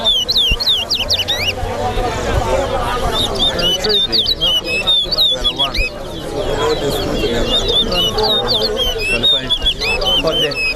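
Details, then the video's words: Large-billed seed-finches (towa towa) in a singing competition at Lusignan, Guyana, sing fast runs of clear, sweet whistles and slurred high notes in quick repeated phrases over a steady murmur of crowd chatter. "TOWA TOWA BIRD SINGING COMPETITION"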